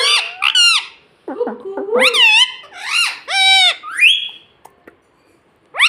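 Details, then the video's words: Pet talking parrot, said to speak words such as mummy, papa and mitthu, producing a run of harsh, strongly harmonic squawked syllables with rising and falling pitch, in several bursts over six seconds, ending in a short pause. "mummy bolne wala tota - Papa Bolne Wala Tota - Talking parrot - Mitthu Mitthu"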